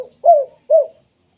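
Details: Spotted dove calling in the 'kuk 2' pattern used to make other doves answer: two rounded coos about half a second apart, each rising slightly then sliding down. Nothing else is audible.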